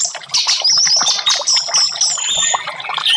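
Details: Song of an orange-headed thrush used to coax a silent caged bird into singing: continuous loud, high warbling with bright sliding whistles and rapid chattering notes running almost without a break.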